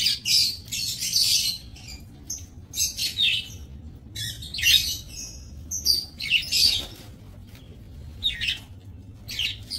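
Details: Budgerigars kept for breeding in a small minimalist aviary, recorded 28 November 2024; bursts of high, scratchy chirps and squeaky warbles come in irregular clusters about every second, overlapping as several birds call, over a low steady background hum.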